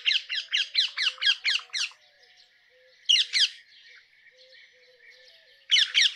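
Rose-ringed parakeet giving harsh, shrill screeches in fast bursts of about eight, then a pair, then three more, with softer chatter between.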